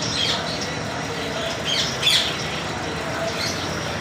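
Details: Sun conure offered for sale in Multan, Pakistan, giving four short, harsh squawks spread across four seconds over a steady, noisy background hum.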